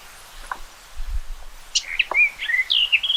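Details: Common rock thrush singing a short burst of bright, slurred whistles and quick chirps, rising and falling, after a near-silent start with a few faint low thumps.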